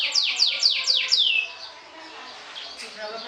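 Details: Canary singing in the sobek style, a champion trilling to beat rivals and stir their emotion: five loud, quick downward-sweeping whistled notes in a row, then quieter fading twitter.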